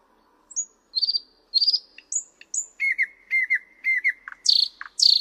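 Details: Thrush nightingale singing loudly and clearly: fluttering whistles, then a string of paired clipped notes repeated about every half second, closing with harsh high strokes.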